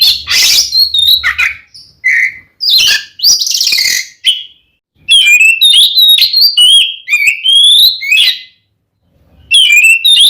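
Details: Oriental magpie-robin fighting song meant to provoke another male: harsh raspy bursts and a low whistle, then a run of bright whistled notes slurring up and down, ending after a short pause with more whistles.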